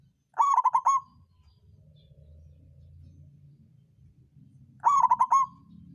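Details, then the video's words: Zebra dove, a local songgo ratu bird, giving lure song to stimulate lazy birds to sing: two short bursts of fast, throaty pulsed coos about four seconds apart, with quiet low hum between. "Perkutut lokal songgo ratu suara pancingan naikan birahi lawan ampuh buat terapi burung malas bunyi"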